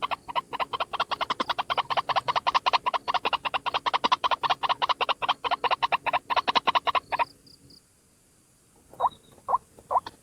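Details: White-breasted waterhen, a single bird used as a lure call: dense, rapid train of harsh pulsed notes, about two and a half per second, running for seven seconds, a short silence, then a few separate louder notes.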